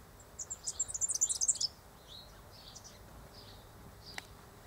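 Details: Superb fairywren (Malurus cyaneus); an immature male and an adult male are seen among sticks and thorns. A fast, very high reeling trill lasting about a second, then faint scattered high chirps over a soft background hiss.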